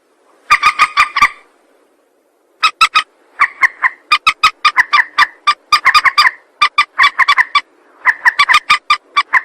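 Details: Rail lure call: fast stuttering trains of clipped, nasal notes, several per second, in long runs broken by one short pause, over a low steady hiss.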